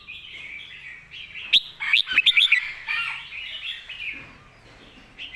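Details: Red-whiskered bulbul master song for teaching young birds, with a burst of loud, rapid, ringing whistled notes in the middle over continuous softer warbling chatter that fades toward the end.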